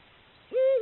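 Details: Eurasian eagle-owl recorded by camera trap as the breeding season begins; a single deep, steady hoot rises in abruptly, holds level and eases slightly lower at the end.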